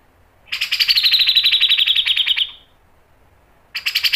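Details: Loud grey-cheeked bulbul song, the sharp mbeset and nembak style used as a tutor and lure for kept birds: a long fast buzzy rattle of repeated notes slowly falling, a pause, then a new rapid burst.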